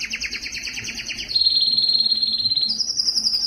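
A Spanish Timbrado canary sings a quick run of bright, repeated chips, then a long, even metallic roll that jumps to a higher, ringing trill.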